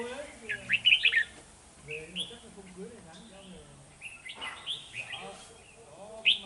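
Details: Red-whiskered bulbul decoy song during trapping, 13 November 2018, aimed at rival birds: quick clusters of bright, slurred, high whistles in short bursts with pauses, and soft male speech in the background.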